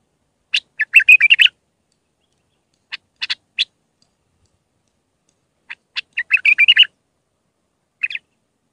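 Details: An Iraqi Mandali white-eared bulbul sings bright, bubbling phrases of quick chirps and warbled notes in bursts a few seconds apart; the song is used for teaching bulbul chicks.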